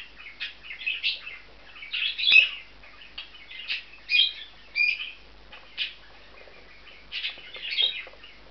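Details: Two bonded male budgerigars taking a nest inside an aviary compound, giving bright, scratchy chirps and warbling chatter in short bursts about once a second, some louder and harsher, with quiet pauses between.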